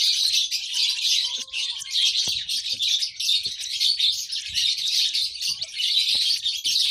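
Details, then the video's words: A steady stream of shrill, overlapping chirps and squeaks from baby lovebirds, with a few sharp ticks. "lovebird sounds baby bird - lovebird chirping sounds"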